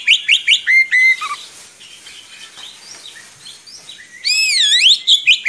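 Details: Oriental magpie-robin singing vigorously in long rolling phrases, kept as a tutor for young birds. Quick bright chirps open the phrase, a quieter warbling stretch follows, then loud swooping looped whistles.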